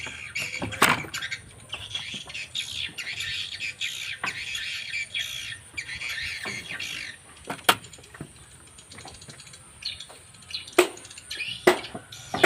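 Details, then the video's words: Edible-nest swiftlets inside a four-storey, 12 by 12 metre swiftlet building in Banyuwangi, East Java. A dense chatter of high, squeaky twittering calls runs through the first half, with sharp clicks and knocks scattered throughout and quieter stretches later. "WALET JAWA TIMUR Banyuwangi"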